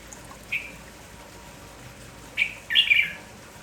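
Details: Three brief, bright whistled chirps from a lively red-whiskered bulbul in the morning, one early and two close together near the end, over a soft steady hiss.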